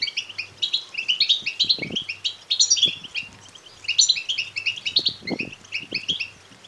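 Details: European goldfinch chicks begging, played to stimulate males to sing and mate: dense, high, thin twittering chirps in rapid overlapping bursts, pausing briefly near three and six seconds, with soft low thumps beneath.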